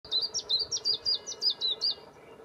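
A willow warbler sings a quick run of about eight sweet, high, down-slurred whistles that sink slightly in pitch. A low background hum sits beneath it.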